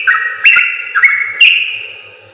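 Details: Brief yellow-vented bulbul song phrase from a training recording for other birds: three loud whistled notes, each dipping then lifting, with faint low ticking underneath.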